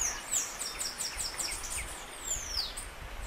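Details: Saffron finch singing its sharp, snapping 'estalo' style song: a quick series of high, thin chips and short slurred notes, with a descending whistled slide near the end, over soft outdoor background noise.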